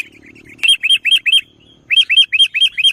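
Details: Sooty-headed bulbul giving 'nggaruda'-style song: crisp, identical, upward-curling chirps repeated in quick succession, four in a row, a brief gap, then five more, with a faint low hum at the start.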